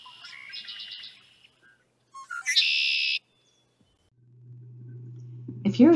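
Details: A male Red-winged Blackbird sings in spring in marshy habitat at Middle Creek, giving a few short, clear opening notes and then a harsh, buzzy trill lasting under a second; a man's voice follows.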